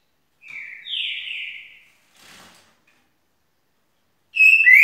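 Green-winged Saltator singing rich, slurred whistles: a long sweet phrase sliding downward, a brief soft rustle, then a bright, loud whistled phrase starting.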